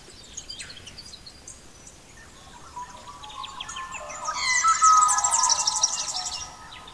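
Mellow, fluted warbling of an Australian magpie swells midway, tangled with rapid high chirps and twitters from other forest birds.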